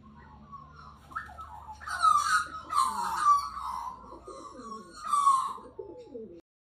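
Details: Australian magpie in Australia, singing while scratching and cleaning itself; rich, fluty warbling phrases swell in loud bursts near two, three and five seconds, with softer lower chattering notes in between.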